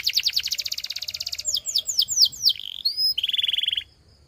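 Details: Russian singing canary running through a fast pulsing trill, a few slow swooping whistles, a rising whistled note and a quick buzzy roll, ending abruptly in near silence.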